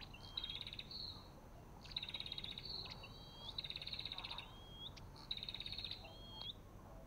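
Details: Repeated calls of an Olive-backed tailorbird: each a buzzy stuttering rattle followed by a thin upward-sliding whistle, given about four times in seven seconds against a soft low hum.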